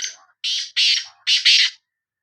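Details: Loud, scratchy phrase from a Sindhi kala teetar (black francolin): a fading opening note followed by four harsh bursts in two pairs, each burst broad and rasping.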